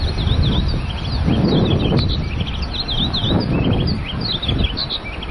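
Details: Masked yellowthroat at Laguna del Diario, Uruguay, 13 December 2016, giving scattered short high chirps and slurred notes throughout, set against a constant low roar of wind or distant traffic.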